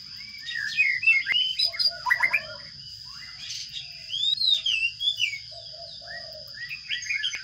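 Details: Sparrow chicks in a nest box beg as food arrives, with clustered high chirps and squeals in several bursts, soft low buzzes between, and a constant electronic tone.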